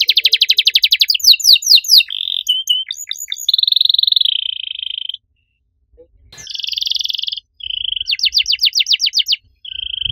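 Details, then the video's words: Canary singing loudly in a distinctive style: fast buzzy trills, a steady whistled tone, a pause of near silence, then rattling trills broken by brief level whistles. "Kenari gacor suara nyaring cengkok unik"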